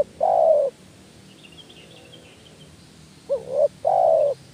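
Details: Spotted dove call of the 'kuk 1' style, used to stir reluctant doves into calling. Low, hollow coos: a long steady note, a pause of over two seconds, then a quick two-part coo and another long note. Faint high chirps sound in the gap.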